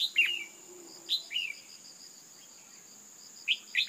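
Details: Female red-whiskered bulbul, calling to excite males, delivers a sharp downward chirp followed by a slurred whistle, repeated after a pause; a steady high-pitched insect-like whine and rhythmic buzzing continue underneath.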